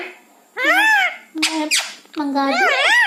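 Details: Talking pet parrot indoors, mimicking 'Mumma' and 'Maa'. An arched word-like call, two harsh scratchy squawks, then a wavering multi-note syllable.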